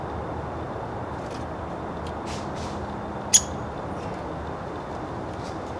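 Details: Single sharp, high, very brief call from a little female downy woodpecker checking her nest box before going in to sleep, set against a constant low hiss and rumble.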